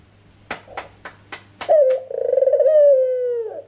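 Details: A series of sharp tapping clicks, then a ringneck dove gives a lure coo meant to make birds answer: one long, throbbing, slightly falling note that fades at the end.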